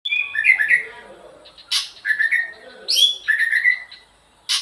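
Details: White-rumped shama singing at dawn: rich whistled phrases sliding between mid and high pitch, broken by sharp harsh bursts, in short bouts separated by brief pauses.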